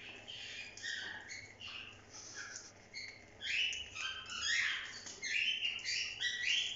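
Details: Several cockatiels chatter together on bathing day in a busy stream of shrill chirps, squeaks and short rising whistles that overlap about once a second, with a faint low hum behind.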